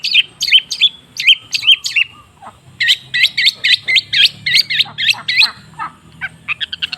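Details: Song of a long-tailed shrike, meant to stir silent shrikes into song. Twisting whistled notes come in quick pairs, then a steady string of about a dozen similar looping phrases and softer chips.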